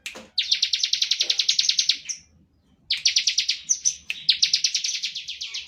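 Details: Bar-winged prinia song meant to make other birds sing: a long, fast rattle of sharp high notes, a brief silence, then two more rapid buzzy bursts.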